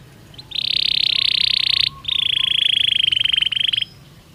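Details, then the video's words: Belgian canary singing naturally, used as daily stimulus for training other canaries: two long, loud, even rolling trills, the first about 1.3 seconds, the second about 1.8 seconds, separated by a brief pause. "Canario Belga Cantando Naturalmente"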